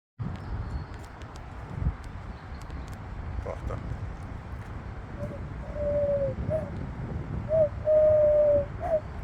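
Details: Birds singing in the morning: soft, low cooing notes in the second half, a few short ones and two drawn-out level hoots, over a steady outdoor rumble.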